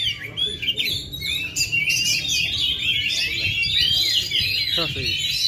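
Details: Oriental magpie-robin (kacer) from Indonesia that has not moulted for two and a half years, still singing at full power: a dense, fast stream of bright whistles, trills and buzzy notes with quick pitch jumps, over faint low background rumble.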